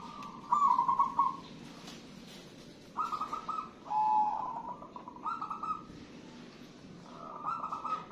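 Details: A zebra dove of local wild stock sings busily, delivering a string of warbling, bubbling coo phrases at an even pitch, some louder and some softer. Noisy background hiss fills the gaps.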